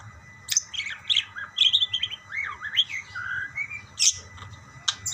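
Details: Budgerigars exchanging calls: twisting warbled chirps and looping slurred squeaks, punctuated by a couple of sharp high clicks.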